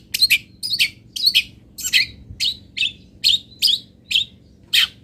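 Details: Local long-tailed shrike, fill-in song tutor recording from Pati: about a dozen scratchy, buzzy chirps, paired at the start and then single, spaced roughly every half second.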